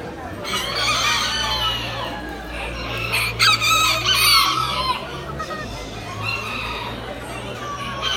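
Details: Aztec miniature rooster at a poultry exhibition in October 2019, giving a few drawn-out, strained crows amid a noisy crowd with a steady low hum and people talking.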